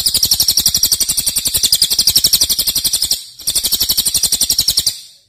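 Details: Long, loud cililin song used as training material for cage songbirds: a fast, high-pitched chattering trill of sharp chirps, broken by a brief pause near the end before resuming, then fading out.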